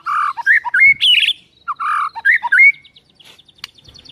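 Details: Isian fill-in song from a white-rumped shama (murai): varied rich warbled phrases with slurred whistles, a pause, then a quieter series of short high ticking notes.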